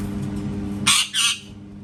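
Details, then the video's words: Parrot known for cat-sound mimicry, heard giving two harsh, broad squawks in quick succession, with an indoor hum in the background. "PARROT MAKING CAT SOUNDS"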